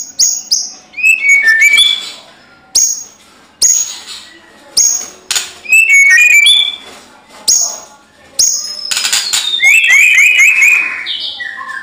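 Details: White-rumped shama, described as a vigorous fighting songster, singing in bursts of rich whistled phrases with sliding and trilled notes, separated by short pauses; sharp clicks and rustling between phrases.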